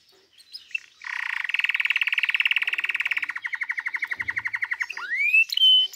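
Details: A canary sings a long, rapid rolling trill of buzzy pulses that slows toward the end, followed by a rising sweep and a sustained clear whistle.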